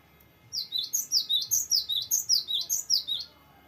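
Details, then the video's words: Cinereous tit, singing persistently in the extended varied rolling style used as tutor song for young birds. A continuous three-second run of high, clear falling whistles is repeated rapidly and evenly in a bouncing two-note rhythm. "GELATIK BATU GACOR NGEROLL PANJANG BERVARIASI"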